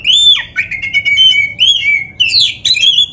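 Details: Oriental magpie-robin, the black-breasted form, singing a loud varied song used to train caged birds: rich whistled phrases, slurred and rising, mixed with harsh squawky notes, delivered in quick bursts.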